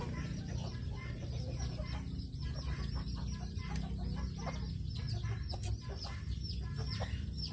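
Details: Coop-bound Brahma chickens, a big thick-feathered breed originating in India, recorded by security camera: faint clucks scattered through rapid pecking clicks and rustling, with a constant deep hum underneath.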